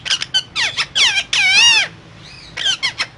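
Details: Parrot chattering rapidly: clipped raspy syllables leading into a long, loud, wavering harmonic call, a soft rising whistle, then more quick harsh notes, indoors.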